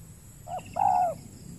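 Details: Wild spotted dove on peat soil in Riau Islands, Indonesia, responding to a trapping lure bird; a single pair of coos, a short wavering note followed by a louder, longer level coo, with low hum behind.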